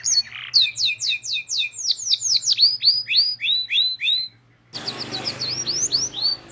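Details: Lure song for young canaries learning to sing: a canary pours out rapid, descending whistled slurs for about four seconds, pauses briefly, then resumes similar swooping notes over a faint hiss.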